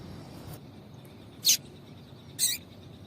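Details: Female double-collared seedeater calling to stimulate a male: two sharp, buzzy high chips about a second apart over light background hiss.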